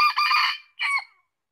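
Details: Part of a red junglefowl crow, cut at the start: a rough drawn-out syllable followed by a shorter closing note that drops away, with nothing else audible.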